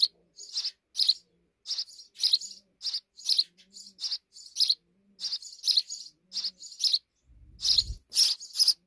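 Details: Sparrows at a nest hidden in a wall deliver dense, overlapping chirps and chattering tweets, with a brief low thump near the end.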